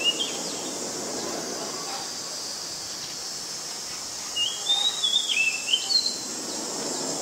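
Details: Oriental magpie-robin, a very common resident, in Ubon Ratchathani, Thailand, 19 March 2022, recorded with a Nikon P1000: a clear run of whistled notes sliding up and down over about two seconds, set against a steady high insect hiss.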